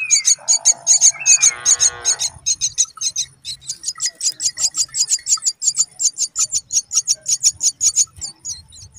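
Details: Brown myna, a mother working hard to raise her chicks, gives harsh, gurgling calls at the start, then thin, high chips repeated about two or three times a second until the end.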